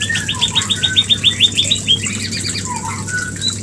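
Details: White-rumped shama giving a mating-trigger song: a fast run of repeated bright whistled notes, about three per second at first, then varied chirps and whistles, over a steady low hum.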